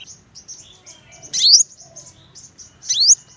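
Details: Purple-throated sunbird: two bright, sharply rising high notes about one and a half seconds apart over quiet, faint, high chipping.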